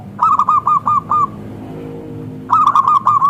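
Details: Local zebra dove with a thick, crystal-clear voice used as a lure to make other zebra doves answer: a run of five quick cooing notes with a clipped pulsed start, a pause, then a second similar burst; faint low hum behind.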